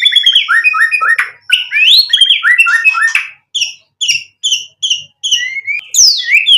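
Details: White-rumped shama singing vigorously, a full song packed with varied material: rapid runs of short whistled notes rising and falling between mid and high pitch, then spaced, clipped high phrases repeated after brief pauses.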